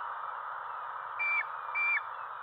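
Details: Bald eagle fledgling nearly 13 weeks old, filmed by nest cam on its fledging day; two short, thin, high whistled notes about half a second apart over a steady background hiss.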